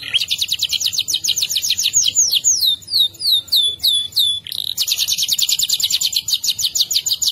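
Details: Canary song kept as a training master for other songbirds: long rolling trills of rapid high notes, then a run of slurred downward whistles, then another fast rolling trill.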